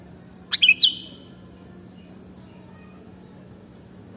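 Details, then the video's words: Short burst of three high, clipped whistles from a sooty-headed bulbul with a brief trailing tone, followed by silence and one more sharp note at the very end; low hum throughout. "Mastering Burung Kutilang Original"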